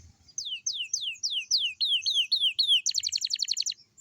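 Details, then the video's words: Young canary singing in the morning, used to prompt young canaries to join in: a sequence of falling whistled slurs, then rising-falling notes, ending in a quick pulsed trill. "kicau kenari paud di pagi hari cocok buat pancingan kenari paud"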